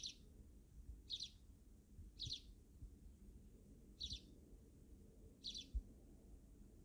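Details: Sparrows, described as backyard wild birds, give short bright chirps spaced about one to one and a half seconds apart, five in all, over a low steady rumble of background noise.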